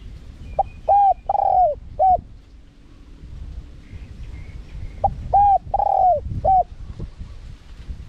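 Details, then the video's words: Spotted dove in a wild-style, small-voiced cooing phrase, used to lure wild doves: two bursts of four or five mellow, slightly bending coos, the third note longest, separated by a quiet gap with low background rumble. "เสียงนกเขาใหญ่ คารมป่า (เสียงเล็ก) มีขัด มีหนุน คูอ่าง"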